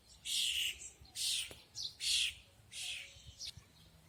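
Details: Bird in Yubileyny Park, Kremenchuk, Ukraine, giving five harsh buzzy chirps about half a second each, spaced irregularly, with faint low background noise.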